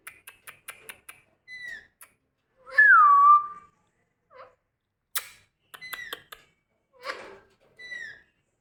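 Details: Angry pet Indian ringneck parakeet: rapid clicking taps, then one loud wavering whistle falling steeply. Brief downward-slurred whistles and scratchy chatter follow in a quiet background.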